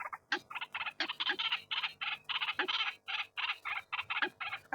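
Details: Rasping, gobbling calls of a white-breasted waterhen, rough notes repeated in quick clusters of two to four, separated by short breaks, harsh and loud.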